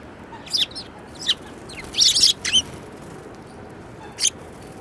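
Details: Sparrows, including one with a yellow beak, recorded on 15 February 2018: short, sharp chirps in small bursts, a quick double-chirp cluster in the middle, over a low steady hiss.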